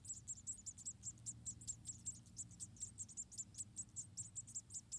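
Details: Munia chicks, about four in a nest being fed one by one by a parent, give thin, very high chirps, about two or three a second in a steady stream, over a low background hum.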